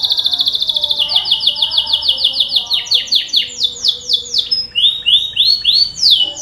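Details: Canary song played as a lure to start canaries singing: rapid pulsed trills, then a series of repeated upswept whistled notes, followed by high arched chirps and rolling phrases.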